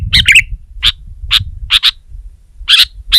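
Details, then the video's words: A sooty-headed bulbul pressing a rival with loud song: an opening double warbled phrase, then single sharp chirps spaced by short pauses and a final paired note, with soft low rumble underneath. "Suara Burung Kutilang Gacor Menekan Lawan Terbaik"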